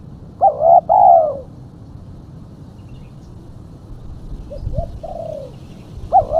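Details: Female spotted dove cooing used to lure birds: a short note and a longer falling coo, a long pause, then two faint short notes and a drawn-out coo, with another coo starting at the end; low rumble behind.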